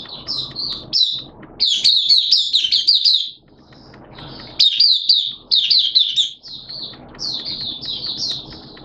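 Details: Kept Oriental white-eye in song during wet, erratic weather: dense, high warbling phrases of rapid chirps and twitters, separated by short pauses, over a faint background rumble.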